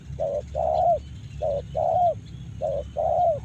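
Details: Spotted dove in Karawang uttering paired coos, a brief hollow note then a longer drawn one that drops at the end, repeated three times over low background noise.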